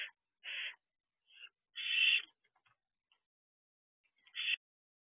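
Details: Barn owl young outside their nest box at 3 am; several raspy hisses of varying strength, one louder and longer in the middle, with a few faint clicks between.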